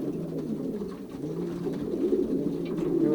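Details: Racing pigeons pairing in a young birds' loft during the 2023 season, Pruszków section, Poland; many birds giving low, rolling coos that overlap continuously, with steady droning tones underneath and faint indoor rustling.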